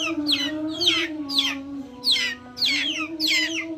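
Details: Backyard chickens calling: a run of sharp, high peeps sliding downward, roughly one every half second, over a steady low droning tone with bright overtones that holds throughout.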